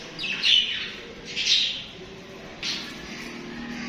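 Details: Budgies, kept as pets, give three rough, bright chirp bursts about a second apart, each a short scratchy chatter, against a quiet background.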